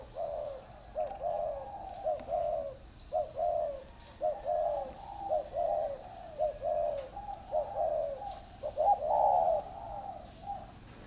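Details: Caged spotted dove, one of two in a round bamboo cage and an iron cage, delivering a long, steady chain of low, warm coos, some rising slightly, with little background noise.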